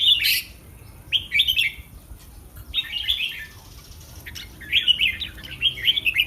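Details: Caged red-whiskered bulbul warming up before a Thai singing contest, producing bright chattering warbles in several short phrases separated by gaps of about a second, with a few clicks behind.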